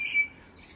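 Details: House sparrows chirp in the background from a tree of heaven in an English wildlife garden in June, with a single bright chirp then a faint high twitter; sparrows nearby are raising a second brood.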